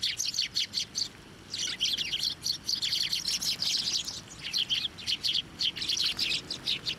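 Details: Busy chorus of sparrows fed from hands and posts at a Tenmangu shrine, 24 November 2023: dense, nearly continuous high chirping with rhythmic pulses about every half second.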